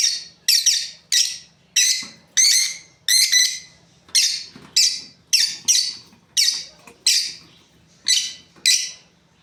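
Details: Breeding pair of lovebirds giving harsh, high shrill chirps in a steady series of about thirteen short bursts over nine seconds, some notes doubled, with a faint low hum beneath.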